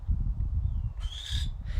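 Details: A captive female barn owl, raised in human care, calls from her outdoor enclosure at a New Mexico wildlife center on a sunny day: a harsh, breathy hissing screech of about half a second, then starts another, over low wind rumble.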